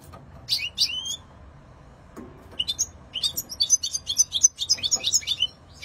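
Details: Song of a European goldfinch: two sharp chirps, a pause, then an accelerating stream of tinkling, liquid high notes and trills, roughly 85 elements a minute.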